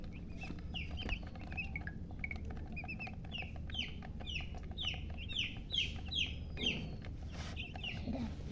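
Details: Chicks of domestic chicken chirping together: a busy string of high, sharply slurred peeps, overlapping and repeated many times a second, growing denser midway, with a low continuous hum and a brief thump underneath.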